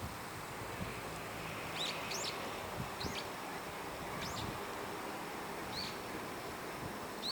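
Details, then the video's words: High in a park tree in winter, brown-eared bulbuls exchange calls: thin, high, arching notes come in short bursts about once a second, fairly faint over a steady background hiss. "ヒヨドリの鳴き声 Brown-eared Bulbul"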